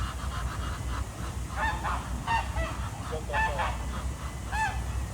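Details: Ducks swimming on a morning pond at Jardin aux Canards in Monaco give a series of short nasal, honking calls, grouped in bursts near the middle and end, over a steady low rumble of water and background hum.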